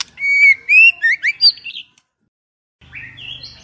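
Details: Female White-rumped shama singing, used to stir male birds: a run of clear whistled notes and rising slurred phrases, then a pause before a short high whistle over a low hum.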